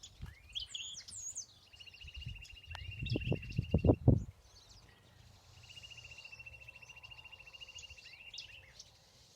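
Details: Chipping sparrow, a winter resident, singing near a home in Dripping Springs: two dry, rapid trills on one steady pitch, each about three seconds, with other birds chattering briefly over low rumbling noise.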